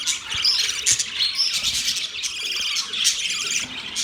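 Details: Birds chirping, recorded October 3, 2023: a dense, continuous chatter of many high, twittering chirps overlapping throughout, with no pauses.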